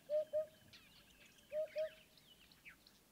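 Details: An African hoopoe in Kruger National Park gives soft, low hollow hoots in quick pairs, 'hoop-hoop', about a second and a half apart, with faint chirps of other birds behind.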